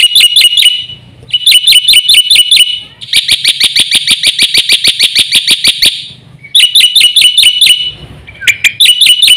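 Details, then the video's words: Champion black-winged myna giving a full song of fill-in phrases. Loud hooked notes repeat in quick series, then a dense run of rapid harsh notes, then more hooked chatter after short pauses. "BURUNG JALAK PUTIH GACOR FULL ISIAN JUARA"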